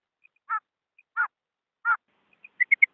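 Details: Female rain quail calling, used as a hunting lure in Pakistan: three short harsh buzzy notes about every 0.7 seconds, then a quick run of three sharper, higher notes at the end, with no background noise.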